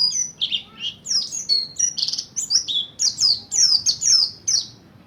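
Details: Buxtoni mountain white-eye learning ngalas and ngerol singing to lure other white-eyes. It gives a lively sequence of about a dozen high, clear chirps and slurred whistles, some falling sharply in pitch, in a steady rapid rhythm.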